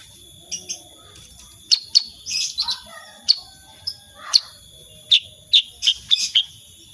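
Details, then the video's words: Sooty-headed bulbul singing in a prolific, energetic 'gacor' style with 'tembakan' shooting-style notes. Short, sharp high chirps come scattered and then quicken into a run near the end, over a steady high-pitched background tone. "KICAUAN KUTILANG SUTRA SUPER GACOR"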